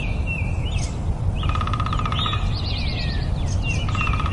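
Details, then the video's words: Nightingale song: a clear whistled phrase near the start, then a buzzy pulsed rattle with rapid repeated notes, then sliding chirps and a second pulsed burst, over a steady low rushing background noise. "2 minute of Nightingale"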